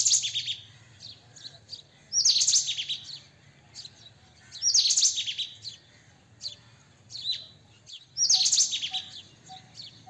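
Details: White-throated kingfisher (Halcyon smyrnensis), a tree kingfisher; loud harsh rattling bursts repeated roughly every three seconds, each a quick string of grating notes, with softer chips between and a faint ticking tone.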